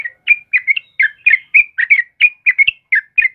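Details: Trucukan kebo type of sooty-headed bulbul singing briskly in the morning: clear bubbling whistled phrases of two or three notes, about four per second, evenly spaced and loud over a quiet background.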